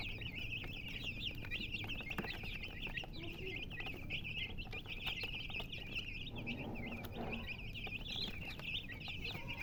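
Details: Many baby chickens peep nonstop: a continuous stream of shrill, short chirps tumbling over each other, backed by a low constant hum and scattered clicks.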